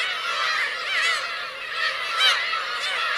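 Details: Teuri Island, Hokkaido, Kurosaki coast, 17 June 2021: Black-tailed gull parents and chicks calling in a thick chorus of whining mews, a few louder cries standing out above the rest.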